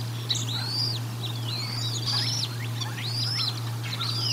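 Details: At the Decorah North nest during a feeding on 1 April 2022, a bald eagle gives high, thin, down-curving whistled notes, about three in four seconds, over a constant low hum from the nest camera.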